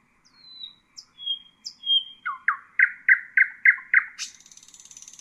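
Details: High sliding whistles from a nightingale, then a steady series of six repeated notes and a fast buzzy trill; Husayna song intended for teaching chicks.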